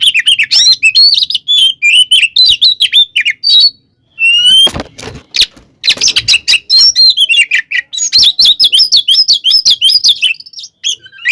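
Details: Kacer, the Oriental magpie-robin, delivering a provocative 'tarung konslet' fighting song: quick whistled and chattering phrases, a brief pause, then a noisy scratchy stretch before the rapid song resumes.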